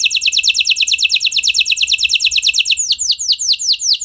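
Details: F1 canary used to prompt other canaries into song, trilling quickly on high descending notes, then slowing into wider, louder swooping notes near the end.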